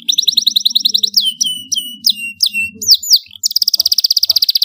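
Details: Domestic canary in full loud song, meant as tutor song for juvenile birds: a fast rolling trill, a series of sharp descending whistled notes, then a long rapid buzzy trill; a low steady hum runs beneath.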